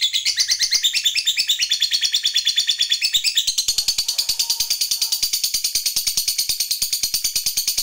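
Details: Lovebird song meant to trigger other lovebirds into singing: a continuous fast chattering trill of high buzzy notes, steady and unbroken throughout, shifting slightly in pitch midway.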